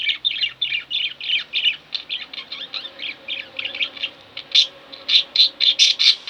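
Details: Budgerigars kept as pets chatter in a steady run of quick chirps, then finish with a series of louder, sharper squawk-like chirps spaced about a quarter second apart.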